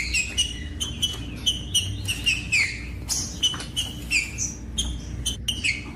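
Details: Green-winged saltator song for warming up cold captive birds: short whistled phrases repeated at an even pace, each ending in a downward slur, with sharp clicks between them.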